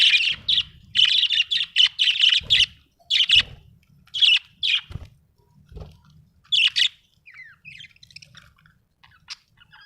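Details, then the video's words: Budgie giving quick repeated squawky chirps, a fast run of harsh notes in the first few seconds, then spaced single chirps and softer warbling, with low thumps between. "Australian beautiful birds sound 😍 budgie chirping sound 🥰"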